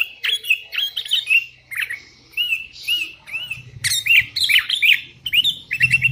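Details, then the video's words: Sooty-headed bulbul in full voice calling rivals as wild birds answer: repeated liquid, arching whistled notes delivered in quick bursts, ending with a rapid trio of bubbly calls. "Suara burung kutilang gacor memanggil lawan"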